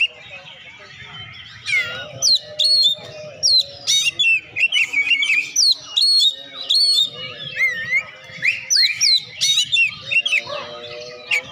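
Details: Oriental magpie-robin singing vigorously, song used to stimulate lazy birds to sing: a rich, varied run of rapid whistles, slurs and chattering notes, continuous after a quiet opening.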